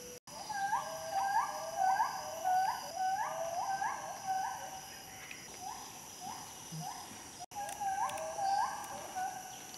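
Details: Gould's frogmouth, a nocturnal bird of lowland forest, at its nest gives short, mid-pitched rising notes in quick overlapping series over a steady forest hiss.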